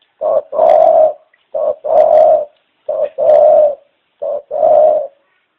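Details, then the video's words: Dove repeating its low coo four times at steady intervals, each phrase a short soft note run into a longer, even, resonant coo, in quiet surroundings. "Chim Cu Chào Đón Tất Cả Mọi Người"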